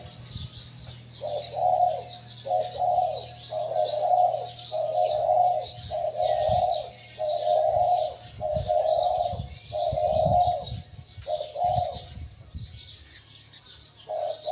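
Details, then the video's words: Spotted dove used as a decoy, caught wild, with a medium-to-large voice, cooing steadily. Soft, rounded low coos repeat about every second for the whole stretch. Faint high chirping from other birds and some low rumble lie behind. "สุดยอดนกต่อ หลิ่วตัน"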